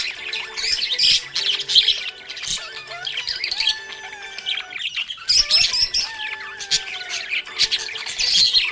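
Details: Pet budgie chirping happily: continuous fast twittering, clicks and squeaky whistled notes, pausing briefly near the middle before resuming loudly, with faint low sustained tones behind.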